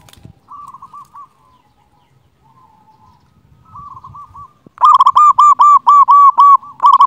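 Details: Loud local zebra dove used as a master song for silent doves. Soft scattered cooing pips at first, then a sudden powerful run of rapid, evenly spaced rolling coo notes.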